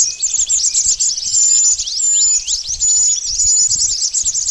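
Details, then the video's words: Lure recording of pied bush chat calls for trapping birds, a busy stream of quick high chirps and sharp downward notes with occasional thin whistled slurs, steady and unbroken. "Suara pikat burung mantenan ampuh"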